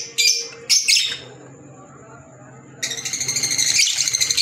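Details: Two short shrill squawks from green Fischer's lovebirds, a quiet gap with a thin whine, then a fast run of pulsed, twittering chirps repeated several times a second.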